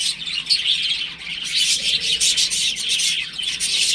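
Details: Several young chickens at home, playing; a constant high-pitched peeping chorus that grows louder and denser over the last two and a half seconds.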